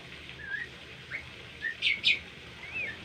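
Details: Tame Bimoli singing a training song for other birds: slurred whistles rising and falling, broken by two brighter, harsher chirps near the middle, over faint background hiss.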